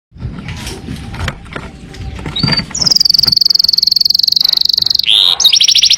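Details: Canary song from a master recording meant for training other birds. After about three seconds of low rumbling background noise, a long, fast, buzzy trill holds steady and high, then gives way to a brief harsher note and another rapid trill.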